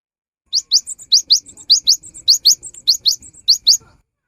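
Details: Cinereous tit singing vigorously, a recording meant to prompt silent birds to sing: quick high rising notes, mostly in pairs, alternating with thinner twittering notes, about three and a half seconds of steady rhythm.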